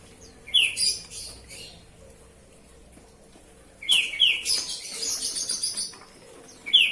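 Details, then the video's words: Oriental magpie-robin (kacer) singing while being bathed: sharp descending whistled notes repeated in quick clusters, mixed with broadband splashing or wing-flutter bursts and a quiet pause mid-way. "Kacer, Proses pemandian kacer kicau"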